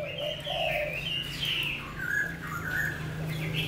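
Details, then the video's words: Selected Chinese hwamei from Lang Son, kept caged for eight months, singing: loud clear whistled phrases, some sliding up and down, mixed low and high notes in quick succession over a steady low hum. "Mi tuyển lạng sơn, hót hay"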